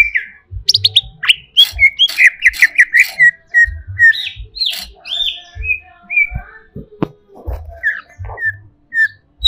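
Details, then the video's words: Greater green leafbird in agitated song, pouring out fast chattering trills, squeaky whistles and mimic-like notes in a steady jumble, with soft low knocking sounds throughout. "SEKETIKA CUCAK IJO INI EMOSI"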